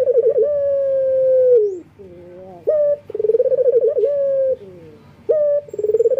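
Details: A male local Barbary dove in full breeding condition calls for a female with long, low, rolling coos with a wavering tremor. Each coo lasts over a second, separated by brief pauses and softer sliding notes.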